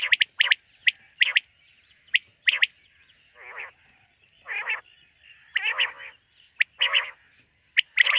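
Quail calling at night: sharp, high clipped notes in quick bursts alternate with lower, nasal, buzzy calls, repeated irregularly over a quiet background.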